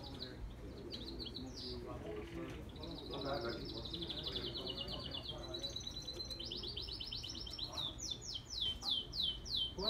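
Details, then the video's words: Red canary singing a varied song of rolling trills and buzzy repeated phrases, ending in a run of bright sweeping notes; faint human voices murmur underneath. "Red Canary Sing"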